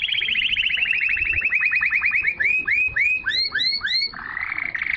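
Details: Pure canary song that stimulates females to mate and tutors young birds: a rapid high trill gradually slows into widely spaced, loud arched notes, ending in a short buzzy roll.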